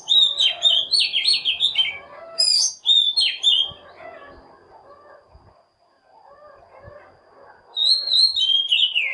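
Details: Oriental magpie-robin singing as a lure to attract wild birds and provoke singing: dense bursts of fast, varied whistles and warbles at the start, a quiet middle stretch, then another bright phrase near the end.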